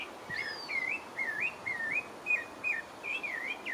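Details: In French Guiana, a pale-breasted thrush sings a run of clear, wavering whistled notes, each twisting up and down, delivered about three per second against faint background noise.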